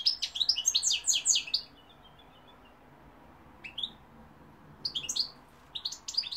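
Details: European goldfinch song recorded in 2021, opening with a rapid run of bright, jangling twitters, then falling to sparse, separate high chirps after a silent stretch.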